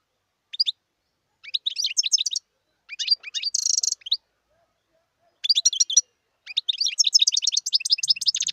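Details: Wild European goldfinch in song: short twittering phrases separated by pauses, a dense buzzy rasp midway, then a long rapid, high, tinkling trill sequence.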